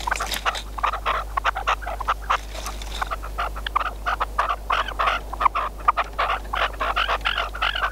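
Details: Partridge used as a hunting decoy, calling during a hunt: a dense run of rough, chattering notes, some sharp clicks mixed in, then a run of throaty calls toward the end, with faint low hum.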